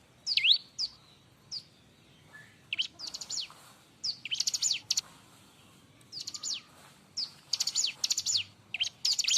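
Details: Loud, busy Bar-winged prinia song meant for tutoring other birds: scattered thin high notes, then rapid rattling bursts of fast repeated sharp chips, several rushed clusters close together over a quiet background.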